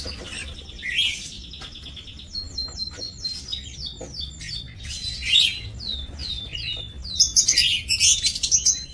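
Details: Aviary lovebirds kept for breeding, recorded 7 June 2024, produce a varied stream of high, rising and falling squeaky chirps, building into dense, shrill chattering toward the end.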